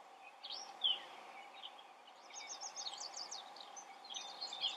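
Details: A Gray Catbird perched out in the open sings a jumbled, irregular run of high squeaky and scratchy notes with short pauses, over a steady low background hum.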